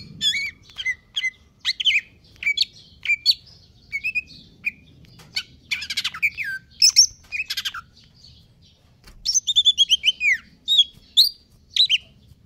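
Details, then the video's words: Caged greater green leafbird in stable condition giving a long, aggressive song: rapid whistled chips and slurred notes in bursts, building to a dense series of repeated high arching whistles near the end. "cucak ijo konslet kejer nembak"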